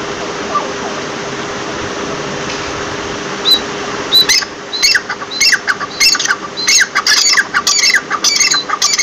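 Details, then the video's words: Partridge beginning with a lone high squeak over a steady low hum, then launching into a fast series of loud, harsh, grating squawks that continue to the end. "Teeter ke Awaz"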